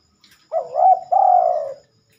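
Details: A spotted dove gives a single song phrase at night, which is rare for this bird. A wobbling coo breaks, then resumes as a longer, smooth note that sinks gently in pitch, in near silence.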